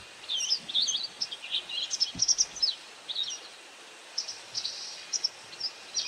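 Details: White wagtail giving calls while feeding on insects: scattered high, sharp chirps, some in quick doublets and short twittering bursts, spread unevenly over the clip against a steady hiss of background noise.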